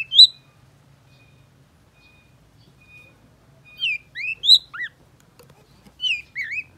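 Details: Long-tailed shrike giving sparse song phrases: a loud opening chirp, a quiet pause with a faint thin tone, then short clusters of slurred whistled notes rising and dropping.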